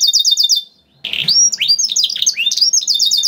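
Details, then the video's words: Canary singing to make other canaries sing: a fast high trill, a brief pause, then rising and falling whistled notes and chirps in quick succession. "PANCINGAN KENARI GACOR DOR NGEREK PANJANG INI AMPUH BIKIN KENARI LAIN BUNYI"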